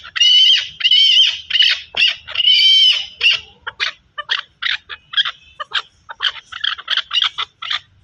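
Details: Chukar partridge giving drawn-out, grating notes at first, then breaking into a quicker series of short clucking chucks repeated about three times a second.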